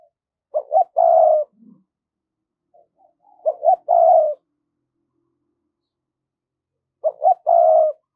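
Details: ['Decoy spotted dove calling wild doves toward it in the thổ voice style: three loud coo phrases, each two clipped notes and a sustained rough coo, with a faint low note after the first.']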